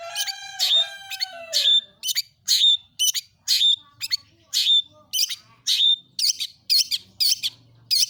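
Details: Long-tailed shrike (pentet, cendet) lure song: a harsh rasping phrase, then a run of buzzy high notes with a whistled tone, repeated about once a second.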